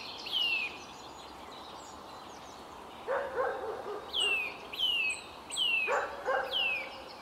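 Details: Eurasian nuthatch pair in Samara, Russia, 13 April 2019, the male singing near a feeding female. Several clear whistles fall in pitch and repeat in quick succession, mixed with lower, rough, harmonic barking calls.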